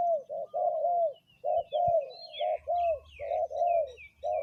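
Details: Caged decoy spotted dove on the ground at a third placement, giving rounded, low coos in broken phrases with brief pauses. Higher slurred whistles and chirps from other birds call over it, and a couple of soft knocks are heard.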